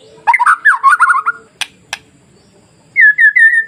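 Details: White-rumped shama masteran song to provoke other shamas: a fast warbling run of slurred notes, two sharp clicks, a pause, then three clear repeated whistled notes.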